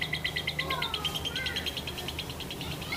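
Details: Lovebird master song played to lure other lovebirds into singing actively: rapid, high chirps repeated several times a second, with faint sliding whistles, over a low steady hum and some background speech.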